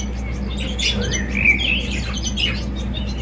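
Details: Java sparrow song flows as a run of soft chirps and a rising, slurred whistle that merges into tinkling, bell-like notes, all set over a constant low hum.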